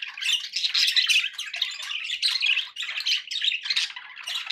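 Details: Domestic budgies chatter continuously, harsh scratchy warbles and chips packed closely together, with one short break partway through.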